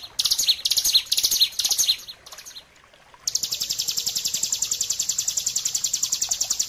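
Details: Bar-winged prinia training song, ngebren style with a pause: bright high chirps with quick down-slurred notes, near-silence for about a second, then a steady, rapid, high rattling trill.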